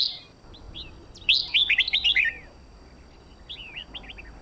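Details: Red-whiskered bulbul from Sông Kôn acting as a song tutor for contest birds; a bright burst of fast, slurred whistled notes midway, then a quieter short phrase near the end.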